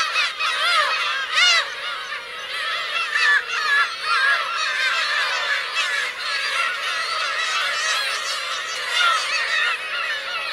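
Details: Parent and chick Black-tailed gulls on Teuri Island's Kurosaki coast, Hokkaido, Japan, in June 2021; many gulls call at once in a steady din of harsh, bending mews, with a few louder individual cries standing out.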